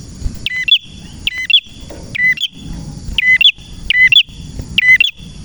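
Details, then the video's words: Male red prinia (prenjak merah) repeats short, bright chirping phrases of looped whistled notes about once a second, over a steady high hum and low background rumble. "prenjak birds singing"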